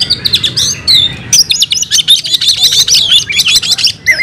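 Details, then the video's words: Captive oriental magpie-robin delivering fighting song with mimicked material: a few sweet whistled notes, then dense, fast-repeated harsh chips and trills for nearly three seconds, closing on a lower whistled note. "Kacer gacor tarung bongkar isian"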